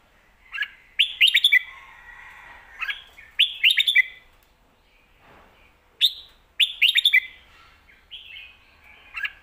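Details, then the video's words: Thai competition Red-whiskered bulbul in a cage, repeating lively whistled song phrases about every two and a half seconds, each a burst of sharp rising and falling chirps with softer warbles between. "ลากหวาย+แม่บท สลับวางเพลงชัดๆ นกแข่งอาชีพ"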